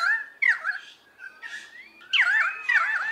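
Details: Pied currawong giving rich, slurred whistled calls in two outbursts, with sharp downward swoops, gurgling fragments, and a long rising-then-falling note between them.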